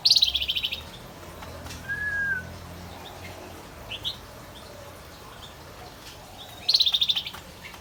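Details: Male Javan white-eye in full song: two loud, rapid buzzy trill bursts of high notes about six seconds apart, with a short slurred whistle and a few faint chirps between them.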